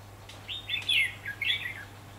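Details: Red-whiskered bulbul giving a fighting song during trapping on 4 October 2016: two quick bursts of loud, liquid warbled notes with slurred downward twists, separated by a brief gap, over a constant low electrical hum.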